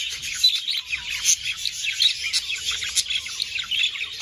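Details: Breeding-stimulation chatter of budgerigars, a steady mass of high chirps, squeaks and short warbled phrases from several birds, with a few clear whistled notes poking above the chorus.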